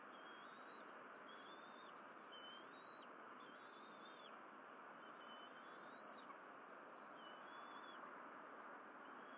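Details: Wild bald eagle family at the Berry College nest, 12 April 2023, during morning fish deliveries by the mother. A series of high thin whistles, some bending upward, repeated across nine seconds against constant rushing background noise.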